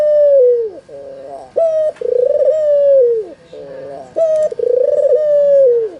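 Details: Albino Barbary dove, white with red eyes, recorded as a lure to make lazy doves call back: a clipped high note, then a long rolling, pulsing coo that drops at the end, repeated twice.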